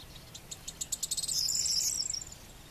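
Corn bunting song: a few high ticks that speed up into a dry, shimmering, jangling trill, like a bunch of keys shaken, lasting about a second.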